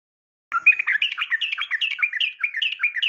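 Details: A female yellow-vented bulbul calls to a male after a brief pause, giving a steady run of fast, gurgling, slightly buzzy notes.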